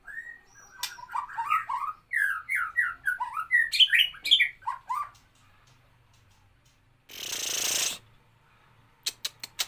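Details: 'Nembak kapas tembak' song of a white-rumped shama: a fast tumbling series of fluty upslurred and downslurred whistles, then a pause, a sharp hiss of noise, and a few quick clicks.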